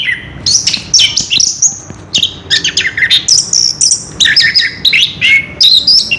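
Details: Orange-headed thrush delivering ngerol, its continuous rolling song, recorded 3 March 2016: dense, loud bursts of mixed whistles, chirps and mimicry-like phrases, rapidly alternating high and mid pitches, pausing briefly every second or so.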